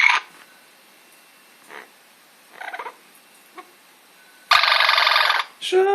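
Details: Amazon parrot making faint soft chatter, then a sudden loud, harsh screech lasting about a second, followed by a lower squawk.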